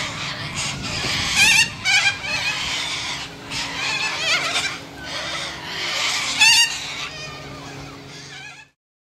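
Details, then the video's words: Australian white cockatoos make a harsh, grating chorus of rapid screeches and squawks with a few sharper shrill notes, over a low background hum, before the sound cuts to silence near the end. "Australian White Cockatoos"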